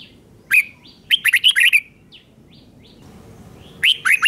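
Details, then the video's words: Red-whiskered bulbul doubling its song for young birds to imitate: an opening slurred note, then a fast phrase of bright warbling notes, a pause with a few soft upslurred calls, and a new phrase starting at the end. "นกกรงหัวจุกเบิ้ล 1000000% สอนลูกนก ก็อปติดง่าย"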